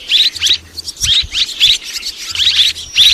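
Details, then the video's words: Two kinds of swiftlet heard mixed together, from 2023: quick bright chirps in clustered bursts, roughly three per second, over a faint low hum. "ສຽງປະສົມ ນົກແອ່ນຄໍເລດ ແລະ ນົກແອ່ນແຫຼວ"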